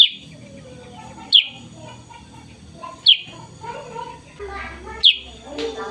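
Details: Black-and-yellow sooty-headed bulbul heard in the morning, giving four loud, clipped notes that drop quickly in pitch, spaced one to two seconds apart, over a low murmur of human speech.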